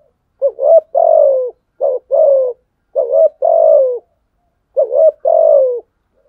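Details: Spotted dove giving fighting coos meant to provoke rivals: four clean phrases, each a quick two-part rising note then a longer mellow coo sliding downward, roughly every one and a half seconds, with no other sounds.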